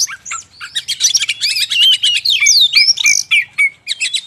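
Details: Magpie-robin lure sound meant to pull wild birds in from the forest: bright looping whistles, clear sliding notes and quick chips in short clustered bursts with small pauses between.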